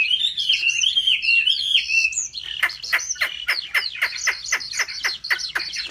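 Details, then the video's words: Chinese hwamei, home-trained for singing contests: a few looping whistled phrases, then a fast series of about fifteen loud, sharply falling notes repeated several times a second. "Họa mi hót đấu cực hay | Luyện chim họa mi tại nhà"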